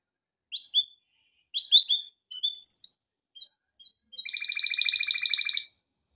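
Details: Male canary song for training: separate sharp chirps and short whistled notes, then a rapid buzzy trill lasting about a second and a half before fading.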